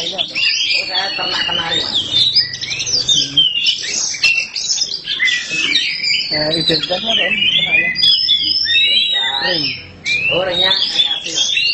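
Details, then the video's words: Oriental magpie-robin, black type, singing without pause: varied high chattering and whistled phrases, some sweeping up and down, layered over ongoing conversation with a brief dip near the end. "Kacer hitam gak pernah malu untuk gacor nie"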